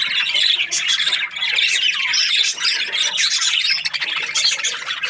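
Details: Australian parrot budgies give constant grating squawks mixed with thin, high tweets, many overlapping notes, with a brief lull just after one second.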